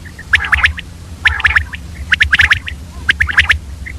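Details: Female common quail in early morning, giving tight clusters of sharp, ticking chirps near two kilohertz, each cluster spaced roughly a second apart, with short faint whistles between.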